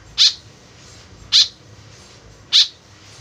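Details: White-breasted woodswallow (kekep babi) whose call serves as a lure gives three loud, rasping nasal notes at about one-second intervals over a soft hum.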